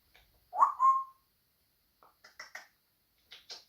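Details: Pet African grey parrot gives one loud whistle that rises and then settles into a flat, held tone, followed by a run of soft clicks and raspy, chattering noises.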